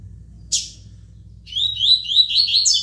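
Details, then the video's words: Tui tui song of a spirited double-collared seedeater (coleiro de fibra): one sharp high chip, a short pause, then a rapid, rising-and-falling warble of high whistled notes continuing to the end, with a light background hum. "COLEIRO TUI TUI"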